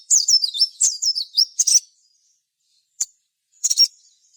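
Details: Sogon in full gacor song as a lure for other birds: a rapid string of looping high whistled notes, a short pause, then two isolated sharp chirps.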